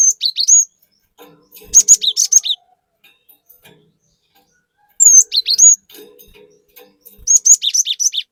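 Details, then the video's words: Cinereous tit in lively, rapid song, used as a lure to provoke rivals: repeated high whistled slurs and sharp chirp clusters, with quiet gaps between four phrases. "Pancingan Burung Glatik Batu Gacor Fariasi Glatik Bahan Auto Emosi || Glatik Batu Gacor Nembak"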